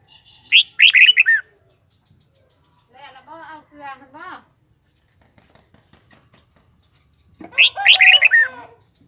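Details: Red-whiskered bulbul delivering rich warbled whistle phrases at the start and end, with softer harmonic, voice-like sounds in the gap between them.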